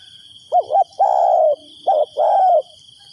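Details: Spotted dove used as a decoy to lure wild doves, giving two phrases of a quick doubled coo that runs into a longer, smooth, slightly falling croo, with a thin high whine behind.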